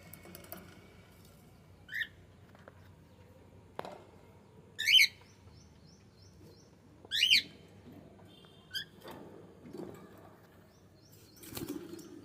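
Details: Pet cockatiel giving scattered high, sharp chirps and short whistled notes, some in quick doubled bursts, spaced irregularly every one to three seconds in a quiet room with faint clicks.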